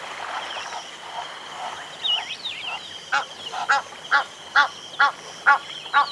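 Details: Several Egyptian geese calling at medium-close range give harsh, rhythmic honks about twice a second, with larks' whistled phrases and a steady high insect hum behind.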